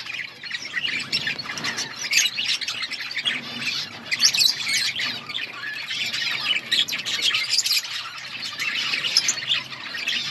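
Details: Chirping budgerigars fill an outdoor colony with constant high warbling chatter, scattered sharp squeaks and squawks rising above the steady flock noise.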